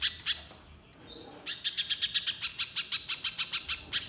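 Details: Little spiderhunter song: a couple of sharp chips, a quiet spell with a thin whistled note, then a quick, steady series of about fifteen high clipped notes.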